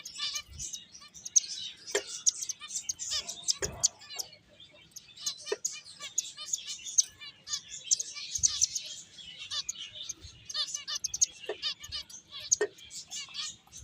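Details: Many finches at play chatter in a continuous wash of sharp high chirps and tweets, dotted with faint clicks and knocks.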